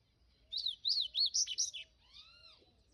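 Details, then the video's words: Double-collared seedeater (papa-capim) singing in the 'canto do rio' style: a quick run of high, sharply zigzagging notes lasting over a second, followed by a few softer, lower, downward-arching whistles. "Papa-capim canto do rio"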